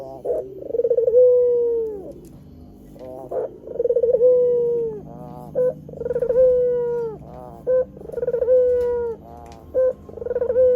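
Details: White Barbary dove, described as a champion singer and used as a training and lure recording for wild doves. It gives repeated coos: a short buzzy pulsed note, then a long low drawn-out tone that falls away at the end, roughly every two seconds, over a low steady hum.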